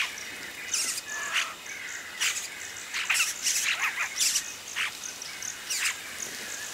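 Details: Yellow-rumped cacique chicks give close-up harsh, high-pitched chattering bursts, about one every half second, as adults arrive at the nest, over a steady insect hiss.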